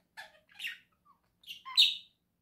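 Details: Pet budgerigars, a pair kept indoors with a new cage house, November 2024: short bright chirps and a rising squeak in two quick pairs, the second pair louder, with quiet gaps between.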